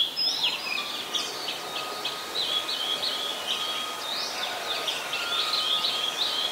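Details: A very common resident Oriental magpie-robin sings in Ubon Ratchathani, Thailand, 26 December 2020, a continuous chain of high, slurred whistled notes in repeated patterns, with a faint hum in the background.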